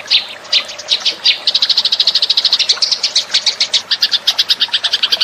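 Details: Eurasian tree sparrow lure call used in bird trapping: irregular chirps opening into a fast, chattering series of bright notes, some higher and sharper toward the end.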